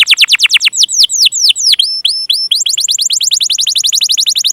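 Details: Canary singing a lure song meant to set off young or stuck canaries: loud downward-sweeping whistled notes, a slower stretch of bent chirps, then a quick even trill of rising notes.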